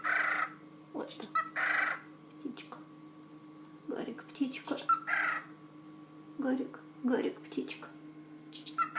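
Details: Male pet cockatiel Garik, quieted from loud screaming by calm talk, says 'ptichka' ('birdie') in a scratchy, speech-like voice and copies a sneeze ('apchkhi'). Nearby budgerigar Roma chatters constantly, amid a person's calm talking.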